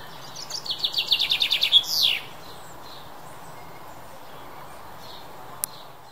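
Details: British chaffinch singing one full phrase: a quick run of sharp, repeated chipping notes, descending slightly, closing with a rising-and-falling terminal flourish, followed by several seconds of quiet hiss and a single sharp click.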